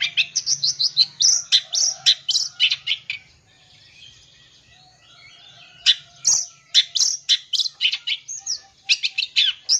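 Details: Long-tailed shrike song rich in imitations, played to provoke young birds: rapid series of harsh, scratchy notes and chirps, a short quieter pause midway, then fast repeated bursts resume.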